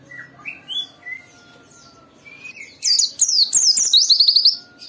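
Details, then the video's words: White-eye song used to trigger other white-eyes into singing: faint scattered whistles and chirps at first, then a loud, fast, high twittering sequence of sliding notes, strung together for about two seconds. "Suara burung Pleci ini Ampuh memicu semua Pleci cepat Buka Paruh dan gacor"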